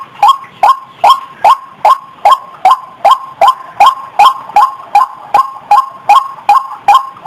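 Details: {'text': 'White-breasted waterhen lure sound, used to coax birds from the bushes: about eighteen coarse, rising croaks delivered metronomically, around two and a half per second.'}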